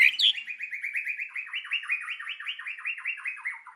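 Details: Forest-voice song of a white-rumped shama in the 'kéo thuốc lào' water-pipe style: after a sharp opening note, a long even rattling trill of fast repeated notes runs steadily for over three seconds.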